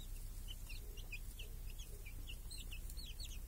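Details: Hens and chicks in a village under a protective cage on a clear summer day. Scattered, moderately faint high cheeps come roughly twice per second, grow denser toward the end, and sit over a strong low rumble.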